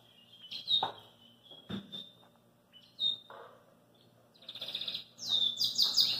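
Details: Belgian canary out of its cage, giving a few isolated chirps and short notes broken by dull knocks, then breaking into fast rolling trills and bright whistled phrases near the end.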